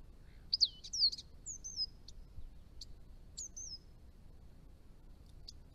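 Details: Chestnut-rumped Thornbill in northern Victoria, Australia, where it is declining, visiting garden ponds: a few high twisting whistled notes and downslurs followed by sparse sharp clicks, in a quiet setting.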